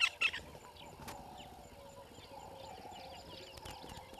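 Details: A water thick-knee at a waterhole dam in Djuma Game Reserve, Sabi Sand, South Africa, at 06:23 on 23 December 2021 gives a steady run of short, clear whistles, with thinner chirps from other birds and a couple of sharp knocks at the start.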